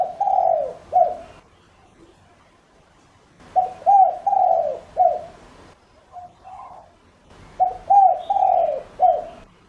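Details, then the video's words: Spotted dove cooing as a lure for other doves, three phrases of mellow hoots roughly every three to four seconds, each a quick pair of curved notes then a long falling coo and a closing note. "Cu gáy mồi cây GÁY GỌI cực hay kích bổi nhanh nổi hiệu quả nhất"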